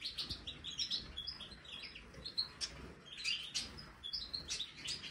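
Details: European goldfinch of the Major type in an aviary, trying a marigold snack. Soft, fast twittering of short tinkling chirps comes in loose bursts over faint background noise.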